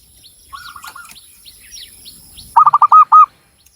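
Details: Javanese local zebra dove singing eagerly in Cilacap, Central Java: a quiet distant phrase of hooked coos, a pause with faint chirping from other birds, then a loud close run of about six clipped, bouncing notes.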